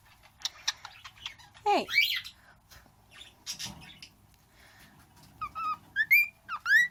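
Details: Pet bird almost one year old imitating its owner's sounds: clicks and a swooping squawk, then a run of clear rising whistles near the end.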